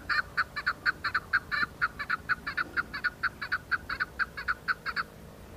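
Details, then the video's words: Wild chukar partridges calling in the hills of Budgam, Kashmir, in October 2021: a rapid, steady series of clucking chuk notes, about two per second, rhythmic and even, over quiet background. "Chukar patridges calling"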